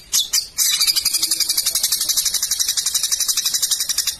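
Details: Long-tailed shrike (cendet) master song in the rapid 'tembakan' style, used to tutor competition songbirds: a few sharp high notes, then a fast harsh rattling chatter of about four pulses a second that runs steadily without pause.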